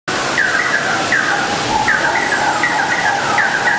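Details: Fire-tufted barbet pair singing together: repeated short downslurred notes with a steady lower tone beneath, about one phrase every 0.75 seconds over a constant background hiss.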